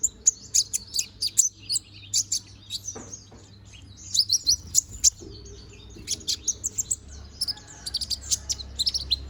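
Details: Bald young konin bird growing new feathers, a chatty singer kept for song training, pours out dense bursts of very high, sharp chirps and twitters in quick clusters, with a steady low hum underneath.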